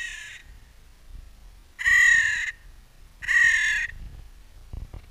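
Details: Spring crows calling in Clara Park, slowed slightly: the tail of one caw, then two loud, harsh, drawn-out caws about one and a half seconds apart over quiet low rumble.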